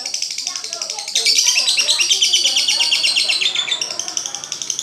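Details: Lovebird singing a fast, shrill chattering stream of short buzzy notes. It steps up in loudness after the first second and keeps an unbroken, twittering pulse.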